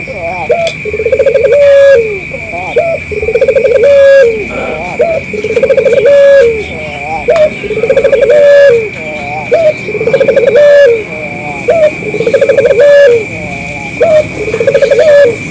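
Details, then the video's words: Local collared dove used as a lure so other doves answer; low rolling coos repeated roughly every two seconds in a steady series, a constant high-pitched whine running underneath. "suara burung puter lokal gacor puter lain dijamin ikut nyaut dan bunyi"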